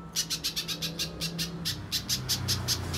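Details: Little spiderhunter lure sound played to prompt a young bird to sing: about fourteen sharp, high chip notes in quick, slightly uneven succession over a low steady hum.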